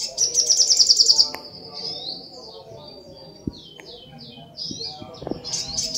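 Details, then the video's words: Sunbird (sogok ontong), an actively singing small bird kept as a tutor for song, delivers a rapid, very high buzzy trill of repeated notes, then softer thin twittering phrases with faint background noise. "SUARA BURUNG SOGOK ONTONG GACOR"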